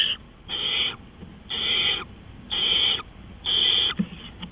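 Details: Owl calling at 3:15 AM on 20 April 2013: four raspy, breathy hisses of about half a second each, spaced about a second apart, followed by a couple of faint clicks over a quiet low hum.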